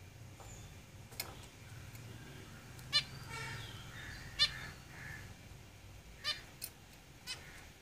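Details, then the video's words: Caged zebra finches giving short nasal calls, a few sharp honking notes spaced irregularly over the clip, with faint high whistles and low background hum. "Zebra Finches Singing in the cage"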